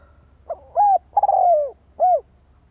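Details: Single cooing phrase of a spotted dove used as a lure for rivals: a soft pickup note, a rounded arched coo, a long vibrating coo dropping in pitch, and a short arched ending coo.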